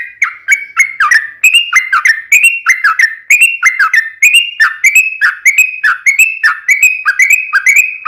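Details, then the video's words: Sooty-headed bulbul (trucukan) singing long ropel phrases: steady, bubbly two-part whistled notes repeated about twice a second without pause, clear and loud. "SUARA trucukan gacor ropel panjang PANCINGAN TRUCUKAN agar bunyi"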